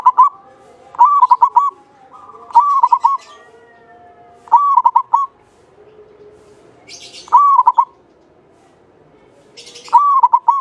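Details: Local Javanese zebra dove, a lively singer with a long, clear voice kept to draw other doves into song. It gives five ringing cooed phrases about every two and a half seconds, each a rising note followed by quick bubbling notes, with faint high chirps behind.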